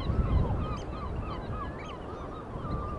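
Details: Gulls calling by the sea: a chorus of repeated mewing, slightly wavering cries overlapping quickly, over a steady low rumble of surf and wind.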